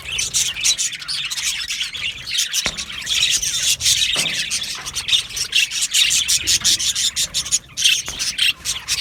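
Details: Budgerigar aviary colony in breeding season: sustained high chattering chorus of chirps and warbles, with a few sharp clicks and rapid flickering calls toward the end.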